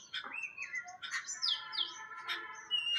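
Jungle babblers chatter in harsh, squeaky bursts several times a second, laced with thin high whistled notes, as if more than one bird calls at once.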